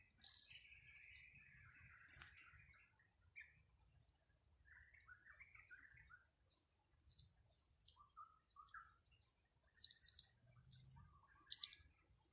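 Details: Blue-crowned hanging parrot during luring: after a quiet stretch with a descending high trill and a constant insect whine, a series of sharp, piercing high chirps comes in rapid uneven bursts toward the end.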